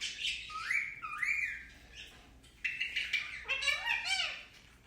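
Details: Indian ringneck parakeet, pet bird, talking: smooth gliding speech-like phrases with rising and falling contours, then a buzzy chattered phrase with descending tones.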